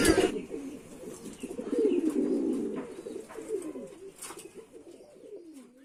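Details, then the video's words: Pigeon cooing: low, throaty, wavering coos running almost continuously and rising and falling in loudness, with a sharp knock at the start and a few faint clicks and rustles behind. "পাগলা কবুতরের ডাক🔥| কবুতরের ডাক | Pigeon Sound"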